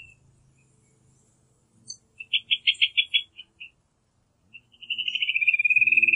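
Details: Rufous hornero: a short run of loud separate notes, a pause, then a rapid, steady trill building in volume.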